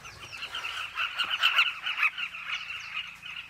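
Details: Many southern carmine bee-eaters calling at nest burrows in a Zambezi riverbank, Zambia: busy overlapping chirps that swell to a louder burst midway, then settle back into steady chatter.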